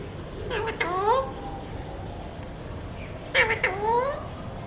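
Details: Pet Alexandrine parakeet of a colour mutation mimicking human words: two speech-like phrases a little over two seconds apart, each opening with sharp clicks and ending in an upward-sliding, nasal, voice-like tone, with faint room hum between them.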